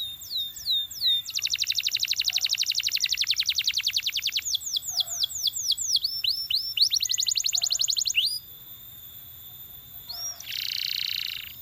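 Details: Belgian canary singing to encourage other canaries to sing: sweeping whistled notes, then a fast buzzy trill of rapid repeated strokes, a series of descending slurred whistles, and a brief harsh burst near the end.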